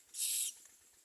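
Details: Common myna nestlings give a single harsh, hissing, breathy screech of roughly half a second, very high and noisy, followed by quiet.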